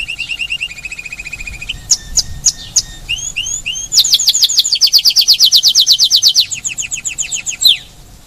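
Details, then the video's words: Pet Spanish timbrado canary at Paradisi, Rhodes island, Greece, opening with a quick trill, then several separate sharp notes and short slurs, before a long, loud, rapidly pulsing trill and a final falling note. "Spanish timbrado canary singing"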